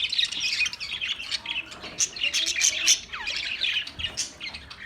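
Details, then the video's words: Chorus of Australian parrots: busy high chattering chirps and harsh squawky notes crowding together, with a few short downward-sliding whistles mixed in. "Beautiful Australian parrot video Bird Chirping sounds"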